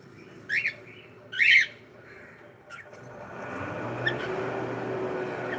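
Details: Pet cockatiel indoors uttering a short chirp, then a louder harsh squawk and a brief faint note, followed by a rising broad rustling noise filling the last half.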